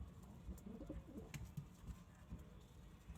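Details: Domestic pigeons, kept birds including Indian, Chinese and homing pigeons, giving soft low cooing notes in short rolling bursts, several overlapping, with faint background clicks.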